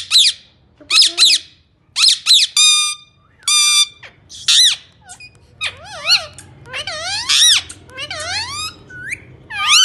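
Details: Indian ringneck parakeet talking: a quick run of sharp, harmonic squawks and squeaky whistled syllables, some rising and falling in wavy loops, delivered in bursts with short pauses and a faint low hum behind.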